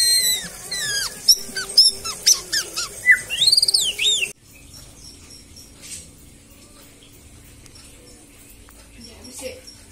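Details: Captive-bred white-rumped shama at a home breeder, singing fast bursts of whistled, sweeping notes and sharp chips for about four seconds, then near silence with faint background hum.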